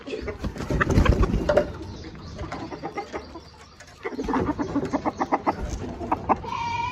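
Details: Domestic chickens, desi or aseel type, on a poultry farm, giving busy overlapping clucks in two bursts with a quieter gap between them, and several birds seem to call at once.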